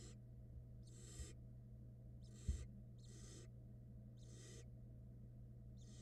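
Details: Barn owl young at a Florida camera nest box during a feeding, one swallowing a whole rat; six rough, airy snoring hisses roughly a second apart, a single sharp knock midway, low hum throughout.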